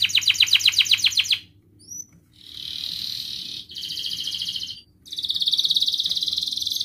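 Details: Canary song meant to coax lazy canaries into singing: a coarse rattling phrase, two thin whistled chirps, then several bursts of dense rapid trilling separated by short pauses.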